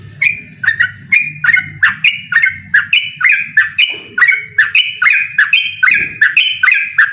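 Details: Yellow-vented bulbul singing hard to provoke an opponent, pouring out quick bubbly whistled notes in an unbroken rhythmic string, with a brief low sound in the background midway.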